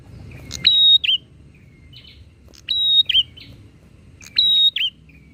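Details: Bar-winged prinia calling back and forth to rile up other prinias. Three bright phrases, each a high level whistle closing with a twisting flick, come about two seconds apart. Softer thin notes sit between them over a low rumble.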